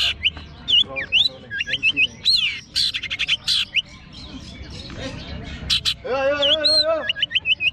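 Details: Contest long-tailed shrike singing from its cage on a hanging pole: rapid mixed phrases of hooked whistles, harsh chatter and a longer nasal squawk, about two notes a second, with murmuring crowd behind.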